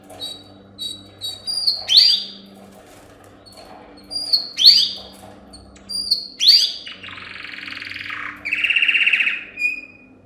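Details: Yellow canary, a male, singing indoors as a training song for other canaries: short whistled notes and sharp upward-sweeping chirps, then buzzy trilled rolls, with pauses between phrases and a low steady hum beneath.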